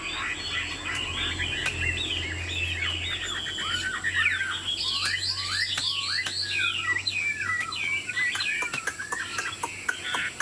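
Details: Caged Chinese Hwamei, described as tame, performing its nodding, wing-playing song: a dense, rapid run of varied whistles, sharp upswept and downslurred notes tumbling together, with intermittent clicking and a low hum.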